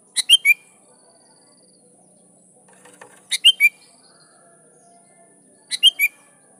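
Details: Sooty-headed bulbul singing loudly to call rivals, with wild bulbuls answering: short bursts of three bright, bubbly notes repeated about every two and a half seconds, over a quiet background with a steady high whine.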